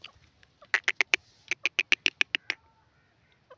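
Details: Grey francolin calling: a rapid run of about twelve sharp, harsh, evenly spaced notes with a brief break partway through, in a quiet setting.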